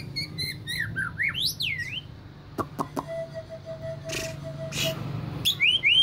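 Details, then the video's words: Agitated white-rumped shama giving high whistled rising and falling notes at the start, then sharp clicks, a sustained steady tone and more rising whistles at the end over a low background hum. "Murai batu mudah emosi"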